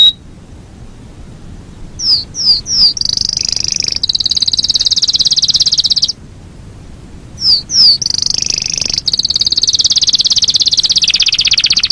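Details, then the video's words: Yorkshire canary performing a long rolling song: a few quick downslurred notes lead into a very high, dense, sustained trill, broken once, then resumed and held to the end. "SUARA BURUNG KENARI YOKSHIRE NGEROL PANJANG"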